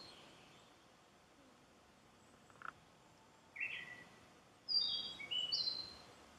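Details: Narcissus flycatcher, a summer visitor, singing unseen in a citizens' forest at Miho, Japan: a short whistled note, then a brief burst of bright, varied high phrases that rise and fall, over soft outdoor hiss.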